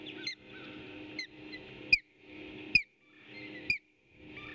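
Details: Nesting ospreys on a Skidaway Audubon camera, April 2018, defending fish against an intruder bird: piercing downslurred whistled calls roughly once a second, separated by bursts of wind-like rustling noise.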